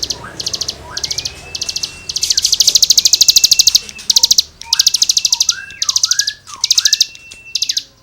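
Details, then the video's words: Cigun in energetic song for tutoring songbirds: loud, almost continuous runs of rapid, high, rasping trilled notes, with long sweeping whistles from other birds underneath. "CIGUNG GACOR FUL NEMBAK MATERI GESEKAN BURUNG KICAU"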